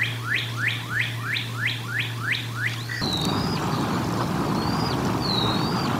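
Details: Bald eagle at the Decorah North nest during a feeding, dated 04 01 2022: eight quick rising whistles in a rhythmic row. Then loud broadband rushing noise sets in, with three sharp, high, slurred whistles still audible.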